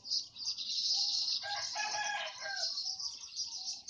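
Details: Weavers competing to build nests in an olive tree behind a house chatter together in a busy, unbroken wash of high, sizzling and buzzy notes, with lower scratchy calls swelling in the middle.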